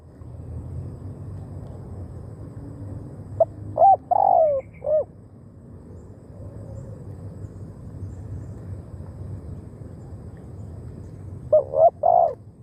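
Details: Spotted dove acting as a decoy for wild birds gives two cooing phrases about seven seconds apart, each of short hollow coos and a longer sliding note, set against steady low-pitched background noise.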